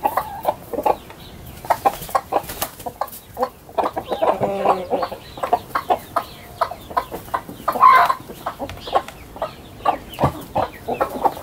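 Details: Garden chickens of all sizes streaming out of the coop in the morning. Scattered short clucks with a louder drawn-out squawk midway, the flock's chatter continuing steadily.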